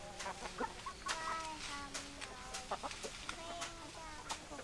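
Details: Chickens, hens and roosters together, heard as a busy run of soft repeated clucks and short drawn-out tonal notes from several birds, with sharp clicks and knocks in the background.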